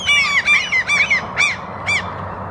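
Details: Pair of Lesser black-backed gulls feeding on a lawn in Helsinki, Finland, in April 2022, calling softly; five nasal, slurred mewing notes, the first three close together, the last two spaced apart, with other gulls in the background.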